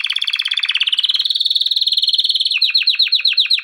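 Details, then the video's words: Male canary in full song for training: a fast buzzy trill rising into a steady high rolling tour, then a series of rapid downswept whistled notes about eight per second. "کنری مست برای آموزش/کنری واتر/کناری نر#kenari / آواز خواندن کنری/قناری/کناری canary best"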